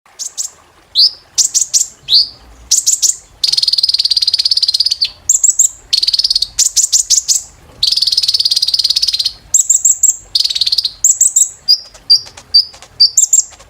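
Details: Olive-backed sunbird (kolibri ninja) therapy song played to train caged birds, with piercing high notes: sharp high chirps alternating with long, rapid buzzy trills, in bursts separated by short pauses.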